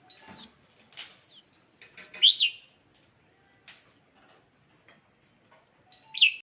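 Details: Scarlet-backed flowerpecker chirps used as a lure sound: two loud, sharp high chips stand out amid scattered faint ticks, thin seeps and brief rustles, with quiet gaps between notes.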